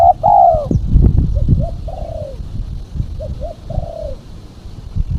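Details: Female spotted dove call, used to lure birds: soft low coos, two short notes followed by a longer drawn-out falling coo, the phrase repeated twice over a rumbling low background noise.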